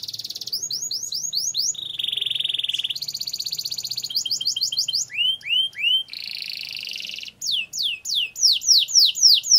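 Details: Canary song for training other canaries, with long rolls: alternating phrases of fast downward-sliding notes and dense buzzy rolled trills, changing pitch every second or two, loud and clean.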